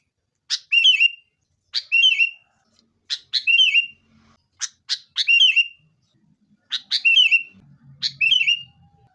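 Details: Lure song of a sooty-headed bulbul meant to make caged birds sing, in a fighting tone: a sharp click-like note followed by a short liquid gurgling whistle, repeated regularly about every one and a half seconds, with faint low rumble near the end.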